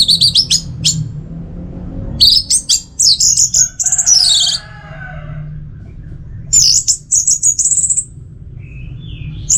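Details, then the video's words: Orange-headed thrush from northern Bali, Singaraja, singing as a stimulus for other birds: high varied whistled phrases with sweeping slurs and mimic-like twitters, separated by short pauses, with a soft lower warble between. "Pemancing Burung ANIS MERAH Agar Selalu Gacor"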